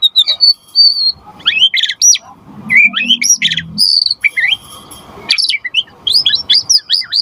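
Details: White-rumped shama song intended to get other birds singing: long high whistles, sharp upward sweeps and varied chattering phrases separated by short pauses.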